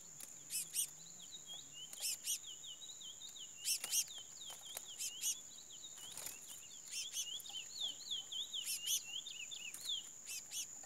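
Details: Chestnut-bellied seed finch singing a run of clear, slurred whistled notes, rising and falling, in phrases separated by short pauses, over a steady high insect-like whine and a few sharp clicks.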